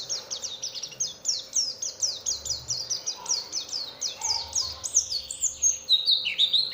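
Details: Oriental white-eye song used as a lure to provoke other white-eyes into singing: rapid series of high, thin, downslurred notes repeated about twice a second, ending in sharper twittering phrases.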